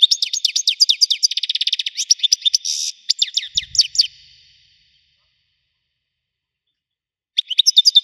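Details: European goldfinch in the wedani song style, with about five seconds of fast, tinkling, high chirps that include a buzzy rattle, then a long silence before another twittering phrase begins.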